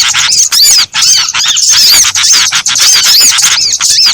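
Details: Small birds in a lure mix for trapping: clear high whistles that arch up then down stand out over a busy backdrop of rapid chirping, with a few short gaps.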